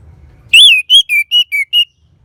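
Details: Six loud, pure whistled notes of an orange-headed thrush, the first long and wavering, the rest short slurred whistles spaced about a quarter second apart. Low hum is heard before the phrase, then silence.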